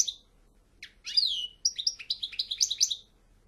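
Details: European goldfinch singing: a few high thin notes, a short pause, a descending slurred whistle, then a quick run of bright twittering chirps in a clean, quiet setting.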